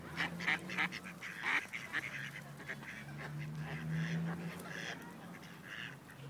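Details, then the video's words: Rejected male ducks in Wilmington, North Carolina, trying to forcibly mate a female; loud honking quacks in quick uneven bursts, over a steady low droning hum. "Ducks Mating Forcibly"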